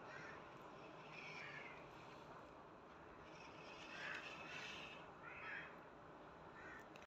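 A cockatiel gives a few harsh, scratchy squawks over a steady background hiss.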